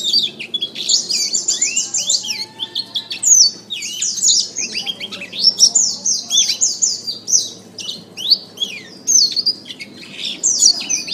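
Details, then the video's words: Canary master song meant to train songbirds: extended fast warbling of sharp high chirps, rattles and slurred whistles grouped into rolling phrases, with a soft low hum underneath. "Masteran Terbaik Kenari"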